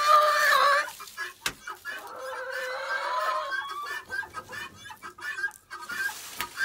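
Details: Chickens making lots of noise at feeding and pen-cleaning time; a loud wavering call opens, then a sharp knock, a longer drawn call, and softer scattered clucks fading among rustling.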